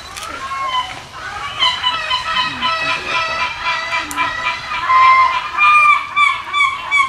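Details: Steller's sea eagle at Zoorasia zoo, 21 July 2012, giving harsh, nasal, barking calls in quick overlapping runs, about one per second; faint human voices early on.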